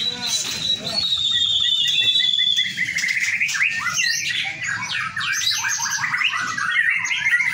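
White-rumped shama song: rich, rapid whistles and chattering phrases that run on without pause and overlap with other songbirds, with faint voices in the background.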